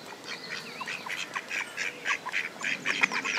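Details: Two male Mallards fighting over a female on a pond give rapid, harsh, nasal quacks, about four a second, irregular and overlapping, with mid-pitched bursts and faint background noise.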